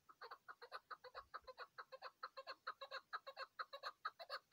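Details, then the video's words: Chukar partridge calling on a mountain during hunting time: a steady run of harsh, clucking chuck notes, about two each second, loud and close throughout. "chakor ki awaz keklil sesi"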